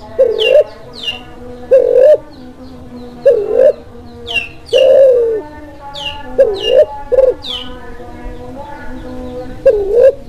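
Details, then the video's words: Spotted dove, Kelantan (klantan) type, in breeding condition, whose calls serve to stir silent doves and lure wild ones: rounded, low coos in short groups, with a long drawn middle note, mixed with high, falling chirps from another bird. "Tekukur klantan Birahi, cocok buat masteran klantan macet"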